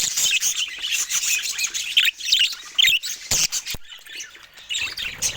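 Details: Budgerigars chirping while eating fruit, with loud bursts of buzzy chatter broken by sharp rising chirps and brief gaps, plus a few clicks.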